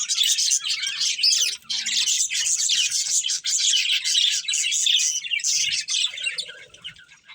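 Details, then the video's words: Breeding budgerigars keep up a dense, raspy warbling chatter studded with high squeaks, fading slightly toward the end. "Cute Budgies Chirping Sounds | Beautiful Budgies Breeding Pair"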